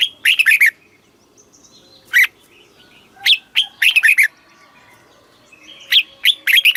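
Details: Red-whiskered bulbul kept in a cage in Thailand, singing a southern master-style song used to teach young birds: rapid bursts of clear whistled notes alternate with single isolated notes, with short silent gaps between phrases.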